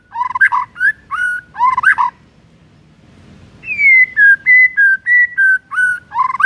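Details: White-rumped shama morning song, played to coax silent birds into singing: harsh buzzy churring phrases, a pause, then a sequence of clear whistled notes alternating in pitch, closing with another rough burst.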